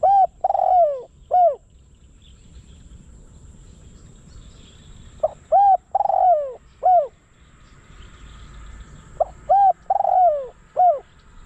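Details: Spotted dove used as a decoy to attract wild doves, repeating its coo phrase three times about four seconds apart, each with short notes, a hooted coo and a long falling coo; faint distant birds behind.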